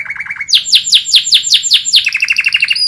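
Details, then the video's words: Canary (kenari) song used as a master recording to teach other birds: a short low trill, then about eight loud whistled downward sweeps in steady rhythm, ending in a fast chattering trill with a thin high note. "MASTERAN KENARI LAGU ENAK"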